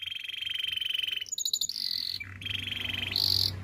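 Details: Training song of a canary made of sustained tours: a long mid-pitched pulsed trill, a few quick high notes, a bright buzzy roll, another rolling trill, and a loud high buzz at the close.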